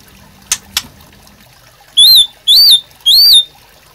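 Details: Murai batu master song: two faint clicks, then three clear, high arched whistles of equal length, evenly spaced about half a second apart.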